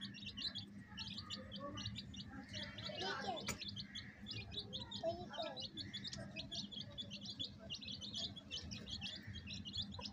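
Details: Chicks alongside a hen, peeping continuously in thin high notes, with soft lower sounds and a persistent mechanical hum underneath.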